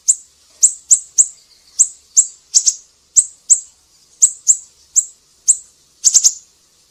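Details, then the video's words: Siri-siri bird singing actively, recorded as a tutoring track for songbirds: very high, sharp chirps spaced irregularly about every half second, ending in a quick triple burst. No other sounds. "Masteran burung siri-siri GACOR"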